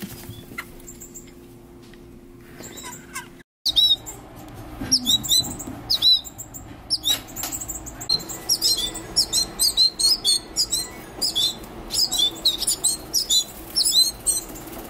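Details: Baby wild birds in a bird care centre begging while being hand-fed specialized diets at the end of the 2023 summer season; dense bursts of high, sharp chirps, rapid and overlapping, repeating almost continuously after a brief pause, with soft rustling and handling noise.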